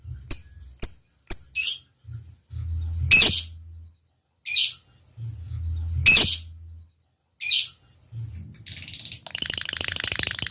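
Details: Lovebird lure recording: quick high ticks, then loud harsh squawks and buzzy notes, ending in a dense rasping chatter, with a low hum beneath.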